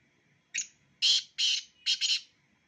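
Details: Black francolin, two birds of the Sindhi strain kept as mast (excited) birds; a short sharp harsh note, then a series of loud grating, buzzy notes, the last two run together as a pair, with a quiet background.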